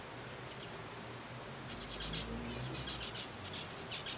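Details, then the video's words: Zebra finches in a captive colony eating softfood, giving irregular short high chirps that thicken into overlapping bursts midway, with a low humming background. "Zebra Finches feeding"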